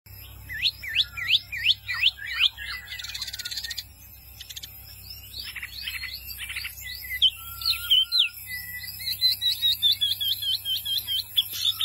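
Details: Small white-eye, a mini type, in lively full song: rapid high chirping phrases and sweeping whistled notes, a buzzy burst near four seconds, then quick runs of repeated downslurred notes; a constant low hum underneath.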